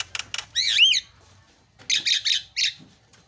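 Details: Javan myna (jalak kebo) singing fast fill phrases: two rasps, a warbling wavering whistle, silence, then four harsh screechy bursts.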